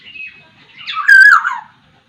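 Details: Black-naped oriole, Sumbawa type; a single loud phrase with a soft whistle at the start, then a rich fluty whistle sliding downward, edged with harsh buzzy overtones.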